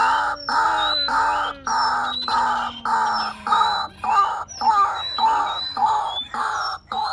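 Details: White-breasted waterhen from a lure sound file: long, harsh, nasal croaks repeated steadily, each about half a second, with a faint low drawn-out tone underneath during the first half.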